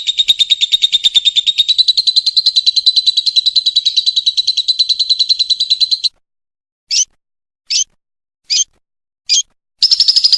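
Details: Lovebird song used as a training recording for contest birds: a long rapid trill of high buzzy chirps repeated about three times per second for six seconds, then four short separate bursts and another trill starting.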